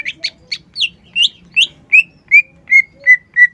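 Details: Cucak ijo, the green leafbird, in lively song: a steady series of about ten clear whistled notes, first rising and buzzy, then settling into even, slightly falling whistles roughly three per second.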